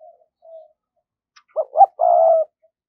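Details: Spotted dove decoy in 'giọng thổ' style, cooing to call wild doves in. Faint low hums, then two short rising notes and one sustained, steady low coo.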